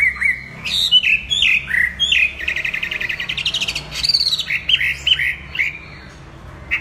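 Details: Chinese hwamei in lively song, a string of loud swooping whistles and quick warbled trills, varied phrases delivered without pause, with a brief fast chattering passage in the middle.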